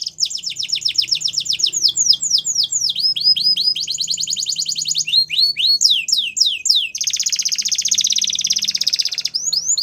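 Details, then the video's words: Continuous song from a male Belgian canary, with quick rhythmic tours of falling whistles, rattling rolls and a long loud buzzy trill near the end. "Canary Sounds Male | Belgian Canary Singing"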